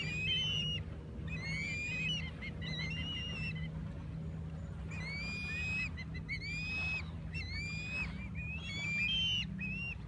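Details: Osprey at a nest with nestlings: repeated high whistled piping notes, each rising slightly, given in quick runs of four to six, with a constant low mechanical drone beneath.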